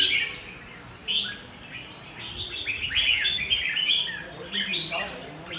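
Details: Red-whiskered bulbul singing hard: rapid clusters of sharp, high, slurred notes that rise and fall, building to a busy chattering stretch, then softer chirps.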